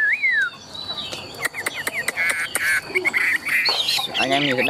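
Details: Competition-singing Chinese hwamei, tame and big-bodied: an opening falling whistle, then a busy stretch of clicks mixed with short twittering whistles, ending in a burst of harsh, layered notes.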